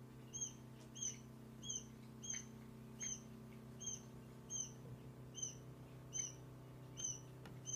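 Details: Quail chicks just one day old give a steady series of high, thin peeps, about twelve notes at a quick even pace, against a constant low electrical hum.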